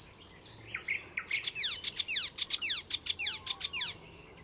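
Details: At Fysingen reserve in Sweden, an Icterine warbler delivers a run of downward-sweeping high notes, about a dozen in quick succession, preceded by several softer whistled chirps.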